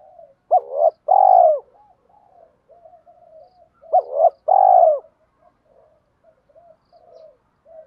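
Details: Spotted dove cooing to call wild doves in: two phrases about three and a half seconds apart, each a quick double note and a long rolling downward coo, with quiet low coos filling the gaps.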